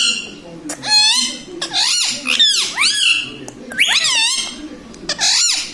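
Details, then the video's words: Pet talking Indian ringneck parakeet, said to speak mummy, papa and radhe radhe, chatters almost continuously in shrill, bending, voice-like phrases with wavering rises and falls and brief gaps. "indian ringneck parrot talking video"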